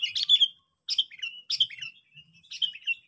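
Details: Sooty-headed bulbul calling to lure and challenge rivals, giving four short bubbly phrases, each a quick jumble of chirps trailing into a falling whistle, repeated roughly every three quarters of a second.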